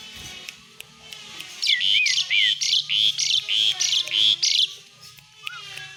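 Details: Asian pied starling (jalak suren) in lively, chattering song, used as a filler recording to train other birds: about nine harsh, buzzy bursts mixed with short rising whistles over three seconds, with a faint steady hum and scattered clicks behind.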